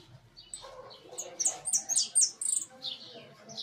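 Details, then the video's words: In a large cage, a hooded siskin delivers a lively, high-pitched twittering song of rapid buzzy notes and sharp slurred whistles, sustained throughout with slight background noise. "Jilguero amarillo priando en jaulon."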